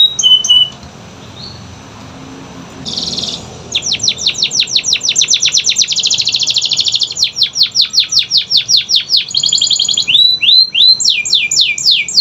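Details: Canary song played as a lure to get silent, lazy canaries singing: brief high notes, a buzzy burst, then long runs of fast descending sweeps and dense trills, ending in swooping downward slurs.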